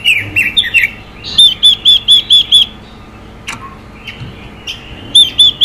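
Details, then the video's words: Female Chinese hwamei in xùy delivery, aimed at firing up male birds, starts with warbled phrases, follows with six loud clear arched whistles in quick succession, pauses amid faint clicks, then whistles again. "Quế lâm mái xùy kích trống căng lửa hót hay"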